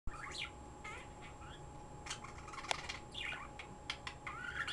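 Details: Pet bird chirping at length: short twittering chirps and rising notes in scattered bursts, with sharp clicking taps and a steady electrical hum underneath.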